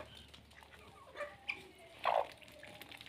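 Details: Morning routine of chickens in a mixed flock with ducks and guinea fowls; a few short clucks, then a loud, rough, mid-pitched cluck, with faint chirps and distant bird calls behind.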